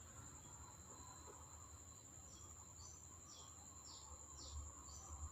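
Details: Thin, high, sharp chirps from a newly bought captive blue-crowned hanging parrot (Loriculus galgulus) decoy bird in a cage, repeated about twice a second over a steady shrill insect drone and low rumble.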